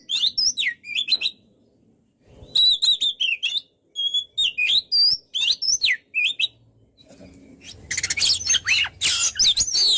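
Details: Oriental magpie-robin, locally kacer, singing gacor: sharp rising and falling whistled phrases in rapid bursts, a pause, more whistles, ending in a dense burst of scratchy, chattering high notes.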